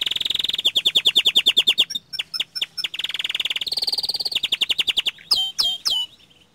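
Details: Young canary singing: long runs of rapid, evenly repeated chips forming rolling trills, a high buzzy stretch, then a few sharp, swooping whistled notes before fading.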